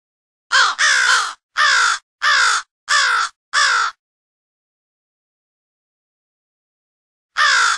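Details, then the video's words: Crows from two different groups calling for an early morning gathering, in a studio-made mix: six loud, harsh caws in quick succession, then a long silence and one more caw at the end. "CROW CALL CAW"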